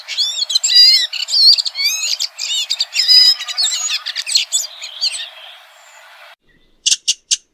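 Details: Red-throated thrush pouring out a scratchy, varied warble of looped whistles and rapid chatter for about five seconds. After a short silence, three sharp, clipped chips follow.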